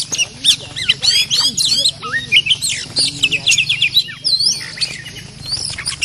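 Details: Oriental magpie-robin, a fierce territorial bird, answering a caged decoy during lure trapping in Thailand: loud, varied whistled phrases with rapid sweeping notes and trills, packed densely throughout, with faint human speech and a low background hum.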